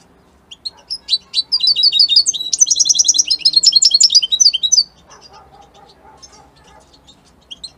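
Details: European goldfinch of Italian type: scattered high chirps grow into a long, dense, rapid twittering and buzzing trill, followed by quieter faint notes and a couple of isolated chirps.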